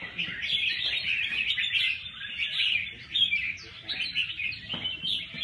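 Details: Red-whiskered bulbul singing at a bird singing competition, a dense run of bright chirps and warbled phrases without pause, with background chatter of other birds.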